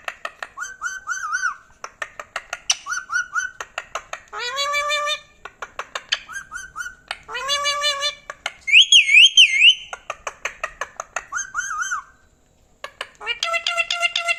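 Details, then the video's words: An indoor pet rose-ringed parakeet, said to talk in Urdu or Hindi, gives bursts of clicking mixed with wavering whistled phrases, harmonic squawk-like notes and a high zigzag whistle, with a brief pause near the end. "Ringneck talking parrot | Indian Pakistan | Speaking In Urdu Hindi"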